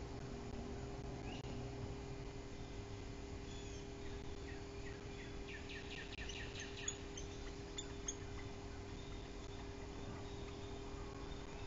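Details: Northern Flicker trio chattering while visiting a Bald Eagle nest at Bluff City, 24 July 2023; a fast burst of evenly repeated sharp notes in the middle, a few scattered calls around it, steady hum beneath.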